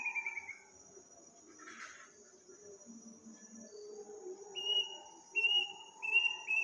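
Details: Unidentified bird calling at midnight in a village on Takbiran night, its eerie sound frightening listeners; a short whistled note early, then three clear, slightly falling whistles near the end, over a steady high insect-like drone and low background murmur.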